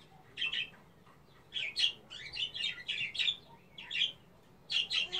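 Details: Female European goldfinch singing: bursts of bright, twittering, buzzy notes in quick clusters, with short pauses between phrases and a quiet background.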